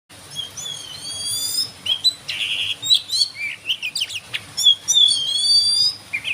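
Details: Oriental magpie-robin, a small black-and-white songbird with a long tail, singing in the evening to stimulate other birds; dense run of high whistled phrases, sweeping slurs and sharp chirps, with thin upper overtones and steady background hum.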